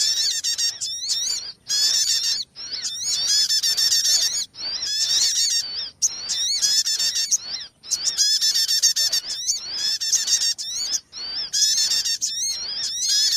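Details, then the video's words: Sogon trapping lure: long runs of loud, harsh, chattering high calls with wavering harmonic tones, broken by short silences every few seconds. "MP3 Pikat Sogon Paling Ampuh lansung Sambar"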